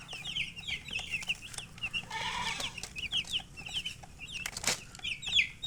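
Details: Chicks peeping busily: rapid high chirps, many downslurred, overlapping from several birds, with a lower raspy call mid-clip and a brief noisy thud near the end.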